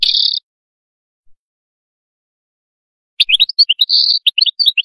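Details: Canary singing a brief buzzy note, then falling silent before bursting into fast, varied high twittering with a sustained buzzy trill in the middle and sharp chirps to the end.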